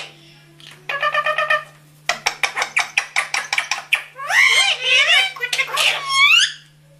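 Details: Parrot mimicking speech: a buzzy, harmonic phrase, then a rapid series of clipped syllables, ending in warbling, squeaky speech-like notes.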